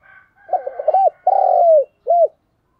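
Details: Deep repeated-note coo of a decoy spotted dove luring wild doves: faint higher notes at first, then a fluttering hoot, a sustained rolling coo sinking at its end, and a detached last hoot.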